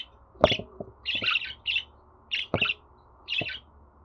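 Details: Pet budgerigar chatter for prompting a caged bird to sing: scratchy warbled bursts repeated about every half second, mixed with sharp clicks or taps.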